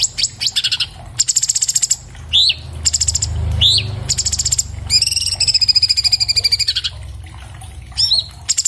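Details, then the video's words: Cage-bird training recording of an orange-bellied leafbird, made with an iPhone 7+: rapid high chattering trills, brief rising whistles, and a long steady buzzing trill lasting about two seconds, with faint low hum beneath. "MASTERAN BURUNG CUCAK CUNGKOK SPEED RAPAT SUARA JERNIH"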